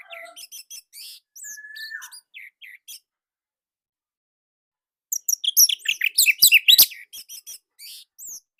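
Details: Orange-headed thrush, Indonesia, with a distinctive tight, loud song used to coax quiet captive birds into singing. Soft varied chips and a drawn whistle come first, then silence, then a burst of intense rapid chattering notes.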